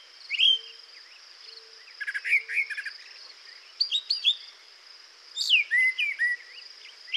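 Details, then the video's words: Male Brown Thrasher singing varied phrases about one second long with pauses between, no phrase repeated. Sharp whistled slurs, chattery clusters and rising-falling notes come in bursts every second or two. A steady high-pitched drone sits in the background. "you just heard a brown thrasher singing for 40 seconds and in that time the bird never repeated itself"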